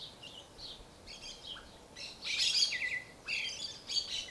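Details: Sabiá-poca, the creamy-bellied thrush of South America, gives a run of high chirping and twittering notes. Its sharp, jumbled bursts swell in the middle and again near the end, over a soft steady background noise.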